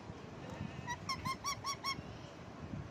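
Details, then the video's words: Parrot perched on a lemon plant, giving a run of six or seven short, nasal, arched chirps in quick succession over about one second, against a background of steady outdoor noise. "Parrot Chirping sound Natural Sound Of Parrot"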